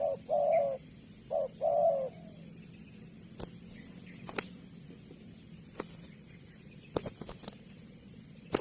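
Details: Spotted dove (tekukur) call used as a trapping lure: four low hooting coos in quick succession at the start, then quiet background with scattered faint clicks and taps.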